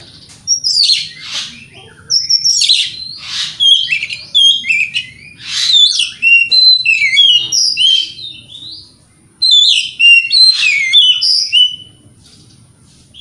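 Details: Provoking song of a white-rumped shama: rich varied phrases of rich whistles, slurred sweeps and harsh notes delivered in rapid bursts, with pauses between groups.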